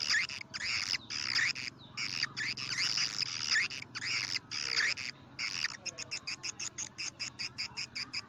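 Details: Swiftlet call for attracting birds to swiftlet houses: repeated harsh, buzzy chirrups in a steady pulse, then a fast series of short, evenly spaced clicks.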